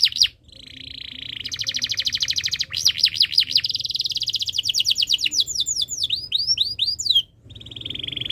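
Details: A canary in breeding condition sings nonstop, meant to stir other birds into song. A steady roll gives way to buzzy trills, then a cascade of high chirpy sweeps and another flat roll.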